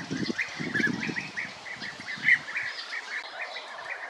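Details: European bee-eater calls: short, rolling, burry notes repeated rapidly and overlapping throughout, one louder note standing out midway, with low rumbling thumps during the first second and a steady faint background hiss.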